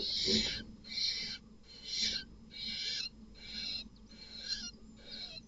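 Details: Barn owl at a nest box at night, where a male that was not the chicks' father entered and killed another male's offspring; harsh, rasping hisses repeat roughly once a second in a steady series.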